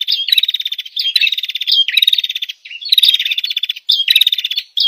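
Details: Olive-backed tailorbird call used as a lure for catching birds in wild forest: loud, high, rattling trilled bursts with a bright whistled tone, each phrase lasting about a second and repeated with short gaps, no other sounds.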